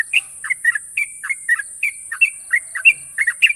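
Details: Yellow-vented Bulbul, a national champion bird, delivering long sharp ropel trills: quick liquid chirps and short slurred whistles tumbling in an uneven, rapid stream over a constant high hiss.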